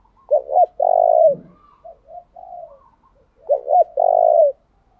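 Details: Decoy spotted dove singing continuously to bring wild doves close. The low cooing phrase of two short hoots and one long drawn coo comes twice, linked by soft murmured coos.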